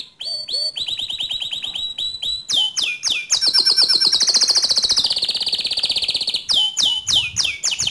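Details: 'Ngerol nembak' canary song to spark singing in another canary: scattered chips, then a long, high rolling trill that dips in pitch, then repeated sweeping notes.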